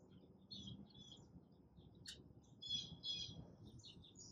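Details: Hummingbirds at a feeder, recorded in the morning with an iPhone 11 on a tripod: short high squeaky chirps and twitters in quick clusters, with one sharp loud click midway and low rumble behind.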